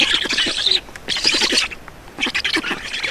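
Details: Black storks at a nest in Estonia during a feeding by the adult, 31 May 2019 at 14:53. Hissing, rasping bursts come in three short bouts, separated by brief pauses.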